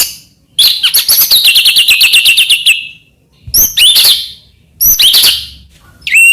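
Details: Caged-bird master song of a white-rumped shama meant to stimulate other shamas: a long fast buzzy rattle of high notes, followed by sharp clipped whistled phrases separated by short pauses.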